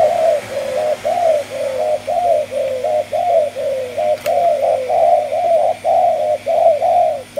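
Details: Two-month-old Malaysian-line spotted dove cooing in the 'chiêu di chuyển' style: a close, steady run of short, low, hollow coos, roughly one per second, each slightly bent in pitch, with a faint background hum.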